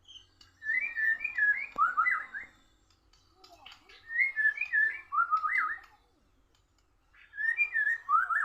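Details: A white-rumped shama in a song duel with a bird from Borneo, which it loses. The same warbled phrase, ending in a looping whistle, is repeated three times with pauses of about two seconds.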